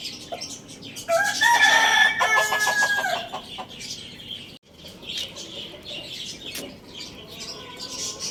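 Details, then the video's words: Morning crowing of a Lohmann Brown rooster at Lalukhet bird market: a loud, strongly harmonic crow with stepped, pulsing notes lasts about two seconds, followed by busy chirping and chattering of many caged birds. "Rooster Crowing Sound Effect"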